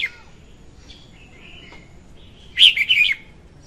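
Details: Female red-whiskered bulbul song for luring birds to traps; faint, thin chirps lead into one loud, warbled phrase of several rapid slurred notes.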